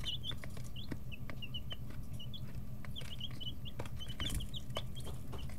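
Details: Domestic chicks, 11 to 13 days old, in a brooder, their wing and tail feathers growing in. They give a busy stream of short, high peeps, some rising and some falling, over a steady low hum and occasional sharp taps.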